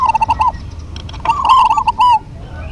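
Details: Two local zebra doves overlap in a lively duet: a soft rolling coo leads into a louder, trilled, slightly falling phrase, with a quiet hum underneath.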